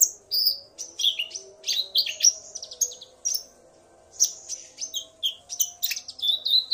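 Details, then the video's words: Male common iora singing loudly, provoked by a female's call, the pair answering each other; high, quick chirps and short whistled notes in bursts, some sweeping down, with brief pauses between phrases. "Burung Konin Pancingan EMOSI agar burung bahan gacor"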